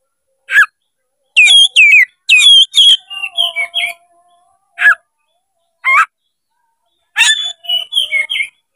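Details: White-rumped shama, known locally as kacer, provoked to fight and sing: loud separate bursts of sharp whistled and chattering notes, some upslurred, spaced by short pauses, with softer warbled phrases between.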